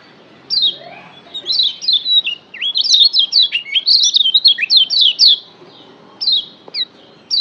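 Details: Lombok yellow white-eye kept as a pet, sung to stir other caged birds into singing: a fast, lively twittering run of high, sharply sliding chirps, some rising and many falling, bunched tightly together, then a few sparse notes at the end.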